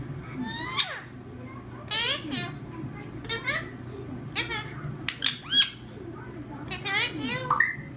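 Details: Two pet parakeets indoors, a loving pair said to talk; bursts of harsh squawks and rapid warbling chirps repeated every second or so, with a person talking nearby.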